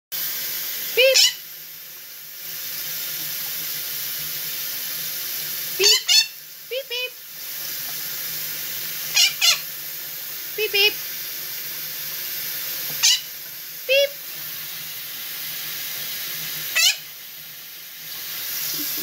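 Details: A male Quaker (monk) parakeet gives short, sharp, mimicked "beep" sounds in quick pairs and triplets, repeated every few seconds.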